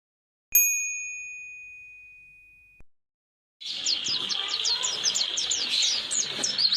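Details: A bright metallic chime rings and fades first, then an Oriental white-eye (pleci) launches into its long rolling 'roll durasi' song style, a dense stream of high, quick, twittering notes, used to tutor young wild-caught white-eyes.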